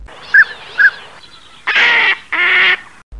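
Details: Northern pintail (Anas acuta): two short, soft whistled notes about half a second apart, then two longer, harsh, rasping bursts.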